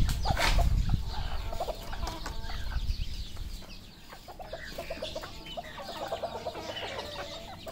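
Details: Red junglefowl on a farm in Cambodia clucking in short, quick, mid-pitched notes, several birds overlapping, with a low rumble of wind or handling noise early on.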